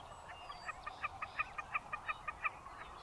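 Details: Wilson's snipe calling: a rapid series of sharp, evenly spaced notes, about three per second, with harmonics stacked above, steady and clipped, over a faint background hiss.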